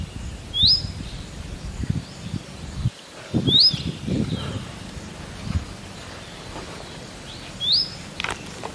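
An Indian robin gives a sharp, quickly rising whistled note, repeated three times at intervals of about three to four seconds, over low rumbling background noise.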